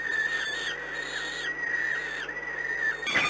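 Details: Peregrine falcon recorded at Płock on 13 May 2016 around 13:20, giving thin, whistled, downslurred calls repeated about every three-quarters of a second, ending in a short harsh burst of noise.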